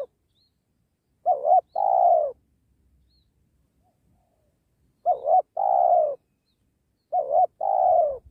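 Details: Spotted dove used as a lure to trap wild doves beside a sacred tree, giving three cooing phrases: a quick wavering double note followed by a longer, drawn-out falling coo, separated by quiet pauses.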